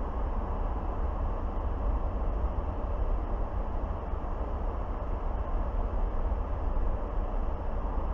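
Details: Steady low rumbling wind noise fills the whole stretch, with no animal call standing out.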